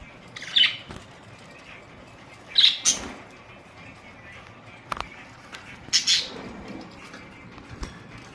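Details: Colourful budgies recorded on April 19, 2023: scattered short, sharp chirps spaced a few seconds apart, bright and high-pitched, with a quiet background between calls.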